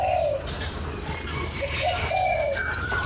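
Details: Spotted dove cooing to stimulate a lure bird: low hollow coos, a long slurred note followed by shorter coos and another drawn-out falling note, over steady low hum and faint higher chirps.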